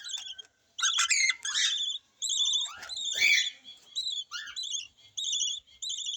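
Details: Yellow lovebirds with a new baby chick; a string of short, quavering, high-pitched calls repeats about once or twice a second, mixed with a few sharper chirps and soft rustles.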